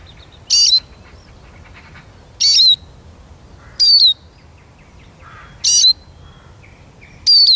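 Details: Eurasian siskin repeating five bright, wheezy notes with falling whistled tails, roughly every one and a half to two seconds, over a quiet background.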